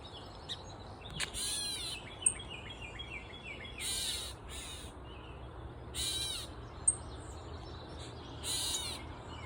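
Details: Grey Catbird on a mulberry tree in Side Cut Park: rasping, noisy calls every two seconds or so, mixed with quick chirps and a few sharp clicks from other birds, over steady low rumbling noise.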